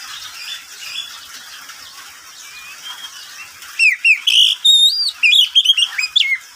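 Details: Oriental magpie-robin, a pet bird, heard at midday: mostly quiet faint warbling at first, then a loud closing burst of clear whistles, rising slurs and sharp chip notes.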